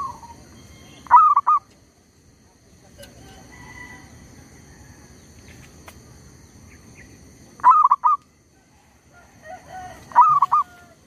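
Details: Zebra dove calling as a lure for trapping wild birds, undeterred by a tree squirrel nearby: three short bursts of rolling, bubbling coos at about two, eight and ten seconds, with a quiet rural hum between.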